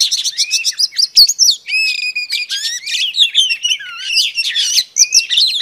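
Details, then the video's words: Singing female Oriental Magpie Robin, used to provoke males: rapid repeated chirps leading into long level whistles, upward slurs and a tumbling twittered finish. "Than mái hót kích trống Oriental Magpie Robin Female"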